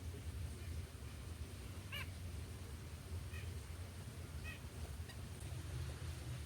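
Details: Four short, nasal, slightly buzzy notes from a white-breasted nuthatch in a backyard, spaced irregularly about a second apart, over a steady low background rumble.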